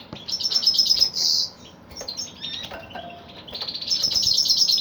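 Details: Male goldfinch, known locally as kalu putha, sings high tinkling twitters with a buzzy trill, pauses amid light clicks and rustling, then resumes a rapid, bright twittering phrase.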